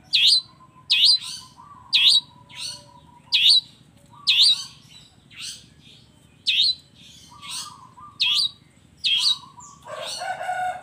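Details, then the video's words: Long-tailed shrike training song mixing fill-in phrases: sharp hooked chirps repeated about once a second over a steady lower whistled tone, ending in a harsher rasping burst. "suara kicau cendet gacor FULL KOMBINASI ISIAN AMPUH"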